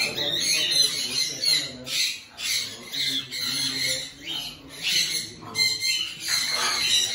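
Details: Sulphur-crested cockatoo in an aviary giving harsh, raspy screeches in quick bursts, about one a second, with a faint voice in the background.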